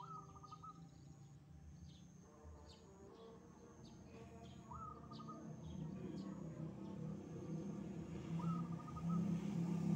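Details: Wild zebra dove singing energetically: three soft cooing phrases, each rising then holding a rolling trill, spaced about four seconds apart, over a constant high insect-like whine and a low rumble that grows louder toward the end.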